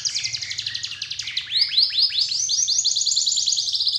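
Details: Canary song used to get other canaries singing: a rapid, even, buzzy trill, then rolling swept whistles that run into a dense, high, continuous warble, with a faint low hum behind.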